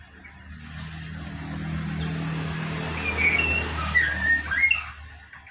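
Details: Caged female lesser racket-tailed drongo giving its wild-style ngalas song: a burst of clear whistled and slurred notes, some rising and falling, packed into the last two seconds over a steady low rumbling hum.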